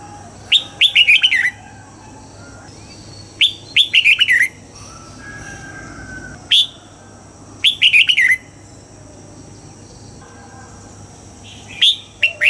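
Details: Red-whiskered bulbul trained to sing at dawn in the old-forest double-note style, with short bright warbled phrases that drop in pitch, repeated about every three to four seconds, some reduced to a single sharp note.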